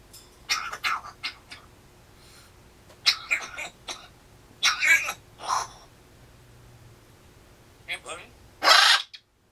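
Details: African grey parrot coughing and clearing its throat indoors: clusters of short, rough, broadband bursts spread over nine seconds, with a quiet spell between groups and a final louder, harsher burst.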